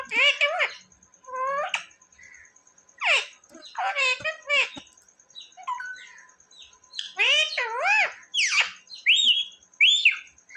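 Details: Talking pet parrot, said to say mummy and papa; a busy run of bright, warbling, speech-like syllables and squeaky chirps, many sliding up or down, coming in irregular bursts over ten seconds.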